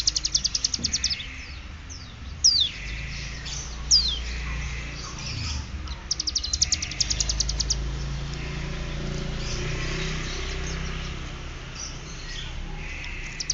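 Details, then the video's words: Ciblek gunung from Cililin learning its ngeriwik bren: bursts of rapid high ticking notes alternate with sharp descending whistles, then longer quieter stretches with low rumble and faint chirps. "ciblek gunung ngeriwik bren cililin belajar fasih"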